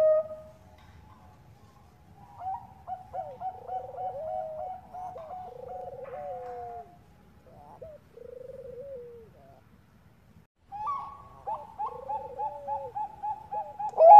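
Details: Bangkok zebra dove lure call, the female calling to the male: long strings of high clear notes layered with lower vibrating, dropping trills, a pause, then a fresh run of rapid high notes.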